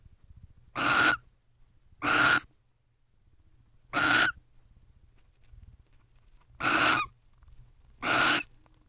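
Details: Two barn owls guarding together inside a nest box shortly after midnight; six rough, breathy screeches about a third of a second long, repeated at irregular intervals of one to two seconds.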